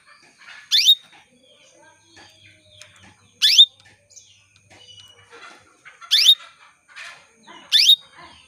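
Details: Female canary calling to males, used to stimulate male canaries to sing: four loud, sharp rising sweeps spaced irregularly, about every one to three seconds, with faint chirps and twitters between them.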